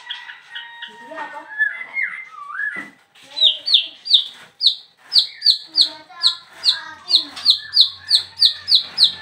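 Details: Caged songbird singing right after its cage cover is opened: a jumble of varied whistles and slurred notes, then a fast, steady series of sharp high chirps repeated about three times a second.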